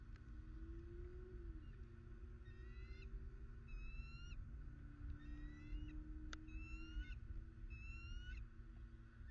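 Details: Bald eagles in Southwest Florida on 21 December 2019. They give short bursts of high, thin, upward-sliding chirps with several clear notes per burst, repeated about every one to two seconds, over a steady low engine-like rumble and hum.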